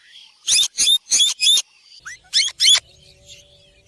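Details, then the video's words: Ringneck parakeet squawking: four loud grating screeches in quick succession, a brief rising chirp, then two more harsh screeches before a quiet end. "green parrot talking"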